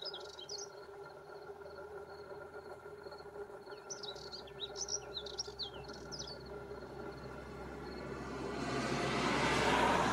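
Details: Male spectacled warbler at Gáldar, Gran Canaria, in February 2023, giving short bursts of high, scratchy, twittering notes over a steady low hum, with a rushing noise swelling at the end.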